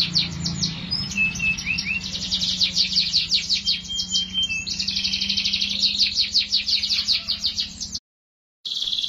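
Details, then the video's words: Canary song: rapid repeated trills and chirps, mostly high, with rolling runs of notes and a few whistled tones; a low hum runs beneath, and the song breaks off in a short silence near the end. "٣٠ دقيقة تغريد مستمر ورائع مهما كان نوع الكناري خاصتك سيبدء بالتغريد"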